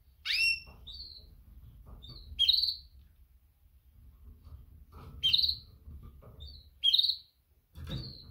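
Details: Female canary calling males in a mating display: one sweeping harsh note, then paired sharp chirps in short clusters, over a steady low background hum.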